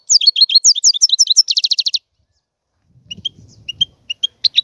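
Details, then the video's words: Goldfinch singing a two-second burst of bright twittering notes that runs into a fast, even trill, followed by scattered high chips over a soft low rumble. "احسن وافضل تغريد طائر الحسون"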